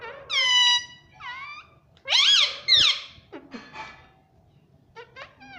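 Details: Talking pet parrot, said to say "mummy" and "mitthu": two rich harmonic word-like notes, a pair of loud wavering syllables, then softer chatter and short rising squeaks.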